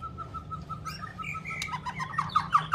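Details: White-rumped shama song starting with a steady series of evenly spaced mid-pitched whistled notes, then shifting into sweeping, slurred whistles and sharp accents that rise in loudness.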